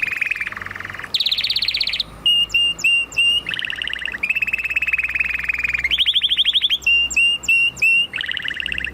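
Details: Canary in full song: alternating rolled trills at different pitches and bursts of bright whistled notes with ringing overtones, sustained and loud throughout.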